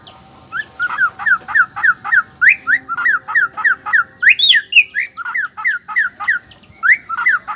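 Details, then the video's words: Male white-rumped shama, black-tailed Nias form, singing to provoke rival males; loud, rapid series of sharp upslurred whistled notes repeated about three times a second, with brief higher flourishes midway and a faint low hum behind. "suara alam khas murai batu blacktail,ekor hitam,nias..suara ini bisa bikin auto emosi murai lain.."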